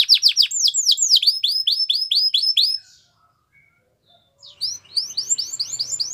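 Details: Belgian canary in training song, delivering fast swooping whistled notes in steady rapid series, pausing silent for nearly two seconds, then resuming with rising chirped notes over a faint low hum.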